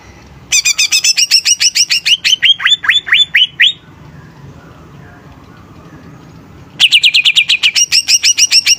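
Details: Greater green leafbird singing energetically as a lure for other birds: a fast run of repeated notes sliding into rising whistles, a silent gap of about three seconds, then another rapid burst.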